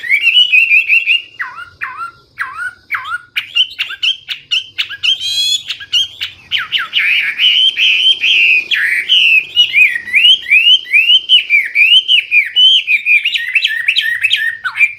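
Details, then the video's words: Long, loud, clear Hwamei song packed with varied phrases: clipped dipping notes, a dense rapid flurry, then flowing rhythmic rising-and-falling whistles repeated in quick succession. "Hwamei/wambi gacor full isian suara keras jernih"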